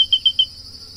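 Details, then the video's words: Grey-breasted crake (Laterallus exilis) gives three quick, high, clear metallic notes in a fast series, over a steady high insect hum. "CANTO DA SANÃ DO CAPIM"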